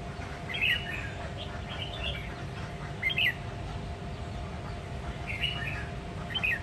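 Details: Short, sharp warbled phrases from a red-whiskered bulbul, Sông Kon line, Quảng Nam, Vietnam, sung in the many-voiced 'ché nẹt' style. Four bursts come roughly every one to two seconds with quieter chirps between, over steady low background noise.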